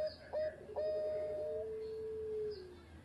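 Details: Former champion zebra dove with an engkel-style voice, giving a pair of short clipped notes, then a long, smooth, level coo that slowly slides lower, over steady background hiss.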